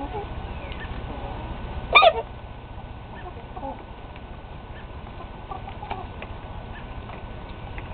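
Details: Rooster that sneezes at random, examined and found not sick, with allergies given as a possible cause; one sharp, sudden sneeze about two seconds in, standing out over a steady background hum and low noise.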